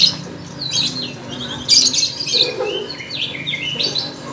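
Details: Lovebird at a bird contest delivering rapid high twittering: thin squeaky chirps and quick up-and-down slurred notes in a continuous chatter.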